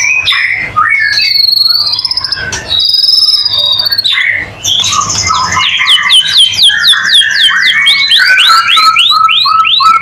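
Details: ['Continuous white-rumped shama song intended to draw other shamas into singing: mixed whistles and buzzy notes, a high trilled phrase, then a rapid series of repeated downslurred chips, about four per second.']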